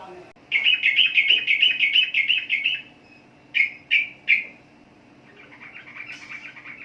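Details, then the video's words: Sooty-headed bulbul producing a fast, even trill of chattering notes for over two seconds, then three loud separate chirps, followed by softer chatter; quiet indoor background. "Burung Trucukan Kicau Mania"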